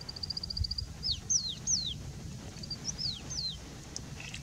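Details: Indian bushlark delivering song while perched on a rock: a rapid high ticking trill opens, followed by several sharp, high downslurred whistles, a short pause, then more thin slurred notes, with soft low rumble underneath.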